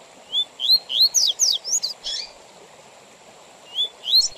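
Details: Double-collared seedeater singing the 'tui tui zel zel' song style, used for tutoring young birds and for tournaments: a quick phrase of high upslurred whistles and sharp buzzy notes, then a pause, then a short restart, over steady background hiss.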